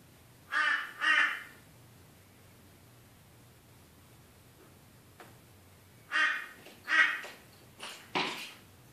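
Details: A crow attacking its own reflection utters harsh, rasping caws, two in quick succession, then after a long pause another pair followed by a shorter, more strained call, in a quiet setting.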